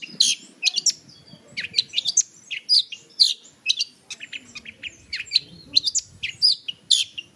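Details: Long-tailed shrike pouring out a busy song of high piercing chirps, quick squeaks and scratchy notes, almost continuous, with faint low rustling underneath.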